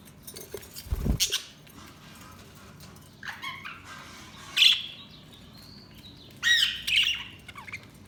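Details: Budgerigars giving brief bursts of high, warbling chirps and squeaky twitters in three spaced bouts, with a low thump early on and quiet background hum between calls.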